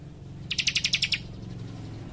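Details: Young leaf warbler, locally called cikrak, delivering a single quick trill of about eight sharp, high ticking notes in an energetic rapid-fire style, over a low background hum.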